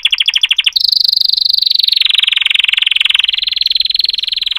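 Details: Song canary singing: a fast staccato trill of separate notes, then a long rolling buzzy tour held near one pitch, slowly dipping and rising again, loud and continuous indoors.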